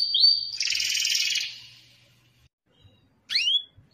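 A canary sings a high, steady whistle that breaks into a fast buzzy roll, then pauses before a quick falling swept note.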